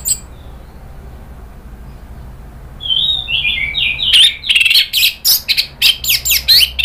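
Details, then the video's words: Agitating lure song of an Orange-headed thrush: quiet start, then a falling whistled phrase followed by fast bursts of harsh, buzzy and whistled notes, about four per second. "bikin ANIS MERAH EMOSI NRATAK lanjut NGEPLONG ¦ PANCINGAN AM"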